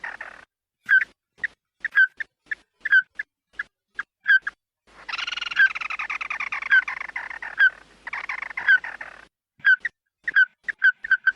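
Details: Red-eyed bird calling the flock as a lure: irregular, sharp whistled notes, then a long harsh chattering rattle with squeaks, followed by more spaced bright notes.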